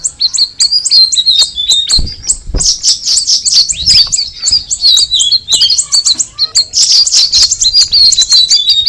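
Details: Cucak rawis singing a long, lively sequence of high twittering notes and short whistles. The pace builds into a dense, bubbling chatter.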